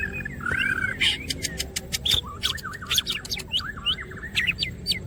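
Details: Lively Greater green leafbird song delivered with open wings: a long slurred whistle, then rapid wavering warbles, trills and dense sharp clicks in a busy chattering stream, with a low rumbling hum underneath.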